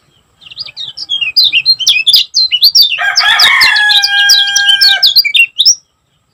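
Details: Lemon-bellied white-eye (kecial kuning) from Lombok, a vigorous 'gacor' singer, in a fast, dense series of high, thin twisting chirps. Midway a lower, steady harmonic drone overlaps the song for about two seconds.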